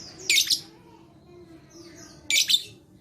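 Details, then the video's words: Singing lovebird, recorded 11/4/21 for prompting other lovebirds to sing: two loud, shrill, rasping chirp clusters two seconds apart, with soft high whistled notes between them and a quiet low hum. "Begini Terapi Lovebird Malas Bunyi Cocok Untuk Memancing Bunyi Semua Love Bird"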